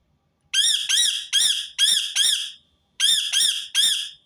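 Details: A Rose-ringed parakeet calling in two bursts, five strident screeches followed by a short pause and three more, each note harsh and slightly rising-falling, spaced under half a second apart.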